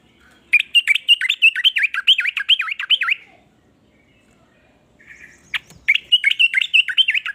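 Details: Trucukan, the sooty-headed bulbul, in a song meant to set other bulbuls singing; quick repeated swooping chirps in a rolling series, a pause with a soft buzz and click, then the chirping returns.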